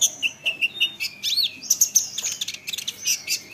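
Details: Olive-backed sunbird training song used to make other sunbirds reply: sharp high chips, looping whistled slurs and rapid ticking notes, loud and busy throughout.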